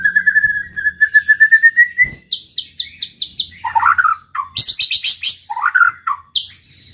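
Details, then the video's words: White-rumped shama song for provoking rivals: a long evenly pulsed whistled trill, then bright high chirps, rich falling warbles and fast ringing notes in varied order. "pancingan muraibatu gacor bikin murai lawan dengar AUTO EMOSI TINGGI |pancingan murai |shama bird"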